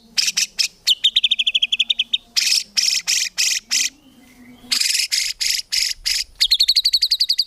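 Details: Murai batu, or white-rumped shama, in a songbird training recording full of fill-ins and tembakan without ngukluk: loud harsh scratchy bursts interleaved with rapid high trills of clipped whistled notes, a faint low droning underneath.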